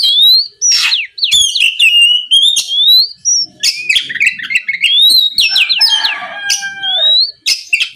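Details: Continuous Oriental magpie-robin song played to provoke a rival into answering: rich varied whistles, rising and falling slurs, rapid clicks and scratchy buzzes in a dense, unbroken stream.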